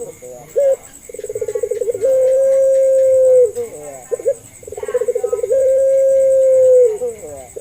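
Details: Puter pelung dove, a local Indonesian dove, used as a lure to prompt quiet doves to call: a stuttering pulsed lead-in flows into a long, steady, low hooting note that dips at its end, the phrase given twice with short notes between.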